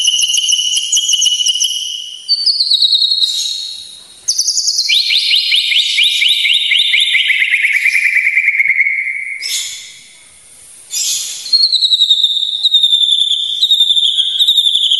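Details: Long White-rumped shama sequence for masteran and emotion provoking: high steady trills, a fast rattling phrase sliding downward, a brief pause, then renewed high trilled notes, very clean.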